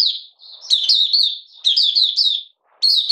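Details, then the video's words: Caged Malaysian Oriental white-eye in minor moult, not in form, singing on 31 July 2023. Sweet, high twittering runs of quick downslurred notes in two long bursts, with a faint low rustle between phrases. "Malaysian Mata Puteh Buka Sing"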